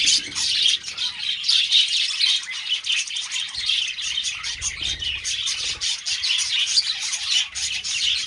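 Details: Several mating budgies keep up a lively, high, scratchy warble packed with fast chirps and short squeaks, continuous for eight seconds.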